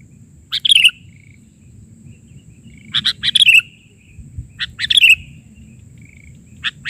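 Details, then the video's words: Sooty-headed bulbul singing vigorously, an isian (filler) song in the bahari version. Three short chirpy phrases, each a quick burst of notes sliding down at the end, spaced about two seconds apart, over a low steady rumble and a faint high tone. "Suara isian...burung kutilang gacor versi bahari"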